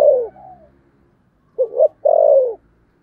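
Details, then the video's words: Spotted dove in 'thổ sấm' voice: a fading coo, a soft low mutter, silence, then a short stuttered double note and one loud, drawn-out coo falling in pitch. Slight low rumble underneath. "cu gáy giọng thổ sấm thúc gù"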